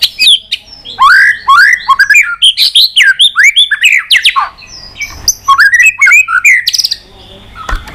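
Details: Fighting song of a white-rumped shama, excited and singing hard: dense, fast, varied whistled phrases, rising and falling slurs and rattling notes packed closely for about six seconds, then fading into softer scattered notes.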